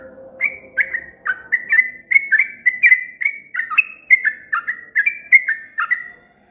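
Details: Energetic extended song of a sooty-headed bulbul: a steady stream of bright, short, down-slurred whistles, roughly three each second, continuing for six seconds over a soft low hum.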